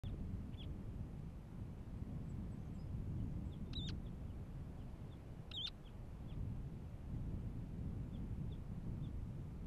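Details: Semipalmated plover on the Katmai coast, Katmai National Park, Alaska, in June 2017, giving two sharp, upslurred whistled calls a couple of seconds apart over a steady low rumble.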